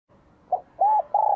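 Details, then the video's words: Spotted dove in 2023 with a bell-like voice, singing to provoke wild doves and welcome spring: three low coos, a short note then two longer level ones, steady and mellow. "CHIM CU GÁY GIỌNG CHUÔNG KÍCH BỔI CỰC SUNG CHÀO XUÂN NĂM 2023"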